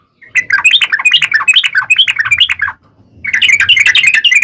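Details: Lively Sooty-headed bulbul giving long rapid 'ropel' song meant to lure bulbuls into singing: fast, bubbly chattering runs of notes rising and dropping, a pause, then another burst.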